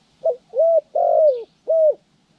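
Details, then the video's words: Spotted dove used in trapping training, January 14, 2020, giving one full coo phrase: a short clipped note, then three mellow hooting notes, the third long, rough and falling at its end, with a faint chirp behind. "pikat Terkukur trianing"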